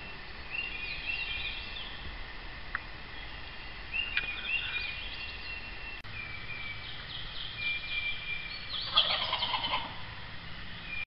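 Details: A jake, a young male wild turkey, gobbles from the roost during a turkey hunt: a short, rough, rattling burst near nine seconds over faint background hiss, with soft scattered bird chirps earlier.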